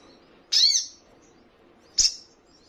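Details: Crimson Sunbird training recording for caged birds to answer: two sharp, very high, downslurred buzzy notes about one and a half seconds apart.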